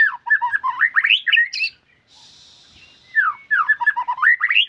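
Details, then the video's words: White-rumped shama delivering energetic song: two bursts of tumbling, slurred whistles and chatters, separated by a short hissy pause. "MURAI BATU GACORRR FULL DURASI"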